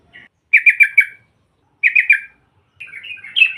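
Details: Female sooty-headed bulbul calling to provoke rivals: two short bursts of four slurred, falling notes, then a softer, wavering jumble of higher notes, with clean silence between the phrases.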